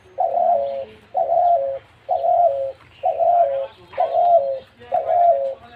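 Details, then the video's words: Caged spotted dove giving a series of low, mellow coos, six even notes roughly one per second, each a slightly wavering, hollow-sounding tone, with faint background noise between them. "তিলা ঘুঘুর মধুর ডাক"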